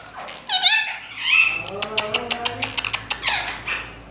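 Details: Green ringneck parrot speaking Urdu-Hindi words such as "main mithu": a high squeaky rising note, a short nasal phrase, then a rapid series of ticking clicks ending in a scratchy warble.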